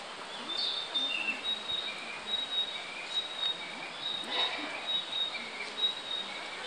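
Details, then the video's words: Male Narcissus flycatcher singing on 18 May 2015 at Akagi Nature Park, Japan, unseen, short, clear whistled phrases, high and repeated every second or so, over a steady high hiss of background noise. "キビタキ Narcissus Flycatcher ♂ さえずり"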